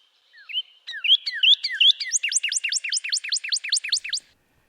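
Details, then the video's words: A Northern Cardinal in a spring Arizona backyard sings from a perch: a few clear slurred whistles, then a quick run of about a dozen loud, sweeping "cheer"/"birdy"-like whistled notes, several each second. "Northern Cardinals sing a series of clear, strong whistles, often in repeated “cheer, cheer, birdy, birdy” phrases."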